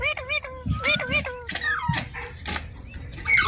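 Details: Parrot calling with a quick series of tonal, harmonic-rich notes that dip and rise, some sliding upward, mixed with low thumps and handling noise in the background.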